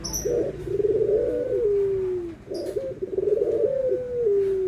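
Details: Puter dove cooing anggungan, white and brown Barbary doves compared: two drawn-out phrases of buzzy trilling that flatten into a long descending tone, with short high chirps from other birds between them.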